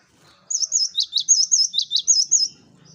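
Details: Actively singing cinereous tit on a lure master recording: a two-second run of about ten sharp whistled notes alternating high and slightly lower, brisk and even, with a little low background rumble at the end.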